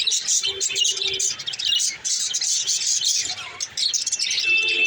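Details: Green lovebird, said to be male, chirping: a dense, continuous stream of high, scratchy chatter and shrill tweets with little pause, possibly from more than one bird.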